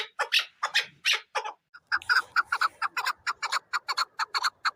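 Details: Chukar partridge giving a few separate harsh chuk notes, a brief pause, then a quick, even series of clucking notes repeated about twice per second.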